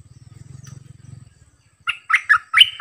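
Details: Bulbul used as a decoy, singing its varied 'double' song: after a low rattling buzz and a brief quiet, clear mellow whistled notes ring out in three quick bursts.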